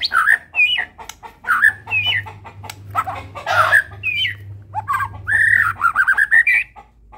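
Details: White-rumped shama, Medan type, singing varied short whistled and chattering phrases with pauses between, ending in a quick rising string of notes; a faint low hum sits behind.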